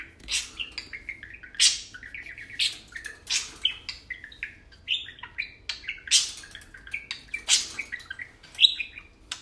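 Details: Tame parakeets at play, talking and chattering; a long run of varied chirps, whistles and harsh broadband bursts repeated every second or so, lively and continuous.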